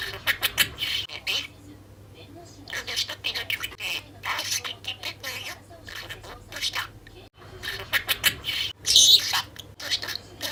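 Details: A sleepy six-month-old pet budgerigar chatters in rapid, high-pitched bursts, mimicking speech and an untaught laugh that the owner suspects is her own.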